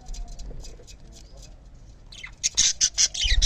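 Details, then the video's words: A pair of lovebirds in the morning. Soft, high chirps come first, then loud, harsh squawking bursts repeat in quick succession through the final second and a half. "Morning Vibes of Love Birds Pair"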